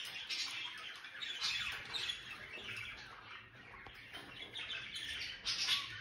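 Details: Wild-colour male and female cockatiels give bright, scratchy chirps and squawks in a busy, overlapping stream.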